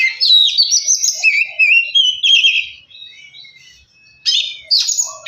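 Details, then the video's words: Lively Oriental magpie-robin song used to provoke another bird: a fast run of whistles and buzzy trills, a soft faint passage, then two loud harsh bursts. "Kacer males bunyi jadi gacor 🔥 pancingan Kacer biar cepat gacor dan emosi"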